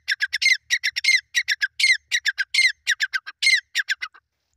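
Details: Partridge, described as 'Irani teetar', calling during fighting; harsh, raspy squawking notes delivered in rapid clustered bursts of two to four, continuous for about four seconds, with no other clear sounds in the background.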